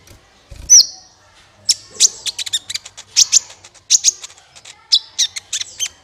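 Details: Sunbird, called kolibri ninja, in a trapping lure: one thin high whistle, then after a pause rapid clusters of sharp, very high ticking chirps and short squeaky notes in quick irregular bursts.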